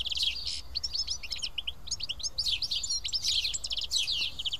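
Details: House sparrows, a group sitting and feeding together at Karyotissa, Greece; dense overlapping high chirps and tweets pour out almost without pause, busy flock chatter over a low background rumble.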